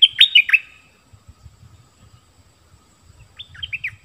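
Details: Bulbul giving two short, liquid warbled phrases a few seconds apart, with soft low thumping noises between them.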